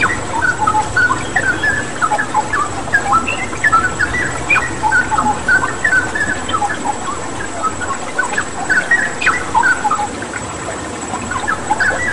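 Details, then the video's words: Cucak rawa, the straw-headed bulbul, in full vigorous song over a constant rush of water; bright whistled phrases of rising and falling notes pour out almost without pause, densely layered. "Masteran Cucak Rawa Gacor dengan Terapi Air"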